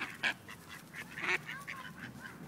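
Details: Ducks in Wilmington, NC, where a group of rejected males try to forcibly mate a female: two short, harsh, nasal quacks with fainter calling and a thin whistled note between them.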